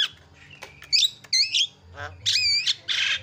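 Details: Javan myna call used as a lure to set other birds calling: harsh squawks mixed with whistled, wavering double notes and a raspy burst at the end.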